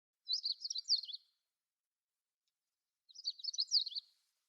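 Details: Siberian long-tailed rosefinch: two short bursts of high, jumbled twittering notes about a second long each, separated by nearly two seconds of quiet.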